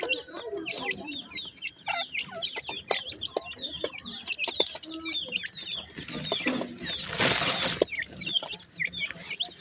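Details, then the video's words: Captive grey francolin chicks while feeding: a dense chorus of many high, thin, upslurred peeping chirps overlapping continuously, with clicks, scratching and a burst of broad rustling noise near the end. "sindhi teetar kay bachay,gray pheasant chicks with feeding"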